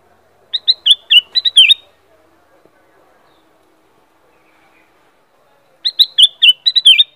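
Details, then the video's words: Black-crested bulbul (kutilang emas) repeating the same quick burst of clear whistled, slurred notes twice, about five seconds apart, with a quiet pause between the phrases. "Kutilang Emas. Black-crested Bulbul call and song."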